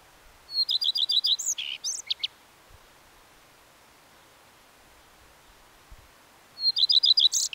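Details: Common redstart song heard twice, each phrase a high note then rapid repeated chirps and a scratchy, squeaky finish; faint low thumps between phrases.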